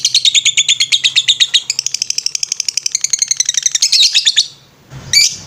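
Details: Lovebird singing ngetrek on a training master recording: a rapid, continuous string of shrill notes climbing slightly, then a short pause and one final sharp burst.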